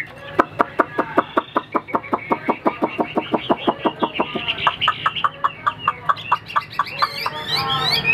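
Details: Caged Chinese hwamei singing solo, the female kept at a distance: a fast series of about thirty short, loud, clipped notes at a steady rhythm, breaking at the end into a rich tumbling warble.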